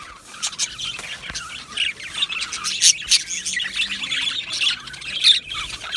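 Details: Aviary colony of Australian budgerigars, 12 July 2025: loud, unbroken chorus of buzzy chirps, squawks and quick twittering notes from many birds, rising and falling in short bursts.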